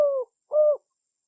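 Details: Spotted dove, a loud, active bird whose call is used to lure wild birds, giving two clean, mellow cooing notes, each slightly falling at the end and separated by a short pause.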